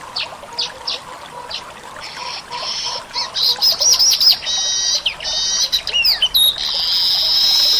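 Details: Indonesian weaver singing: spaced high chirps speed into buzzy trills, then rapid looping whistles and a long, rising, stretched buzzy note.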